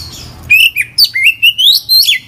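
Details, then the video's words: Oriental magpie-robin singing actively with mimicked phrases: a series of clear whistles that rise step by step, ending in a higher squeaky twist, over a soft low hum. "kacer gacor full isian"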